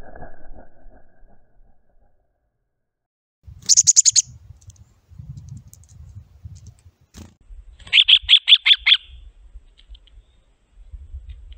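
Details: Two black-capped chickadees from a nesting pair say hello in turn: first a rapid burst of very high, clipped notes, then after a pause a slightly lower, rapid run of about six buzzy notes, over soft low background rumble.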